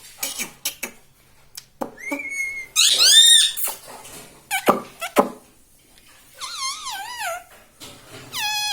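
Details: Pet ringneck parrot that talks, saying "mummy" and "radhe radhe": clicks and squeaks, a held whistle, loud harsh wavering phrases, then a quavering, trilled speech-like sound near the end.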